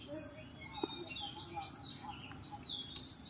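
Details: Escaped Oriental magpie-robin being recaptured: short, high, thin chirps and brief whistled notes scattered irregularly across the moment, some sliding upward, over a faint low background murmur.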